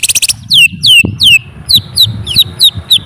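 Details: Greater green leafbird giving sweeping whistles that drop steeply from very high to a level tone, repeated about every third of a second, over a low rumbling background hum and a brief opening chatter.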